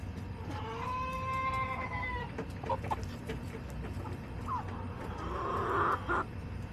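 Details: Backyard hens clucking and crowing on July 18, 2024; a drawn-out harmonic call holds steady for about a second, followed by scattered short clucks and a louder burst of squawking near the end, with constant low rumble behind.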